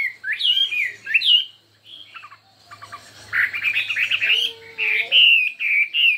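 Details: Chinese hwamei in a singing contest, pouring out a varied, fiery song: rapid whistled slurs, stuttering clipped notes, then a dense fast-warbled passage and steady high whistles, with a faint low hum beneath.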